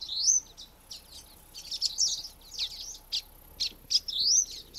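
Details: Common Waxbills, a flock, give contact calls and song: high, thin, buzzy chips and short twanging phrases, scattered irregularly as the flock calls together; no other sounds stand out.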